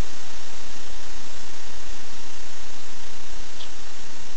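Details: Loud, steady broadband rushing noise, like wind or a fan, fills the whole stretch with no calls standing out.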